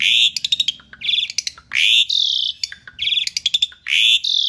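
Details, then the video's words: Asian pied starling singing energetically: loud, harsh, drawn-out rasping notes alternate with quick clusters of clicking chirps. The phrase repeats about twice in a few seconds. "kicau jalak suren masteran gacor"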